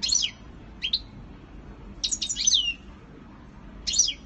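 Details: European goldfinch singing during a courtship display: a few sharp, high twittering notes in short bursts, separated by pauses of over a second, over a low steady background hum.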